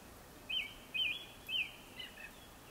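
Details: Japanese thrush song before sunset: four clear whistled notes about half a second apart, the last one softer, over a quiet background.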